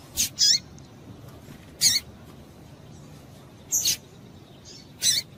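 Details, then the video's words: Calling female double-collared seedeater, used to excite males: paired and single sharp high chirps spaced over a few seconds, with a faint high whistle between them against a soft hiss. "Piado de Fêmea de Coleiro Para Esquentar Coleiro"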